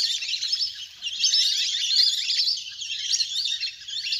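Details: Wild ducks in a large flock playing in water, a natural recording meant to call birds down; many overlapping thin squeaks and twittering notes forming a dense chorus, dipping briefly before swelling again.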